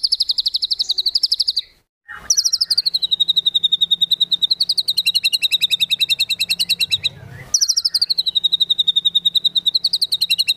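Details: White-rumped shama tembakan-style filler song for contest birds, delivered as long machine-gun runs of very high, evenly repeated notes, broken by one short gap, with a faint low hum underneath.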